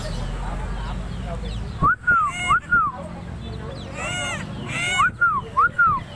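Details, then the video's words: A tame Helmeted Friarbird from Sumbawa, just after bathing, gives loud, nasal, arched notes in quick pairs, in two short bursts a few seconds apart, over a low background hum. "Burung Koak Kaok"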